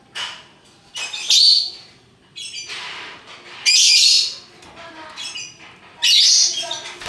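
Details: Lovebirds of assorted colours, a hook-billed parrot, giving ngekek calls: harsh, high screeching bursts repeated every two to three seconds, with fainter chatter between them.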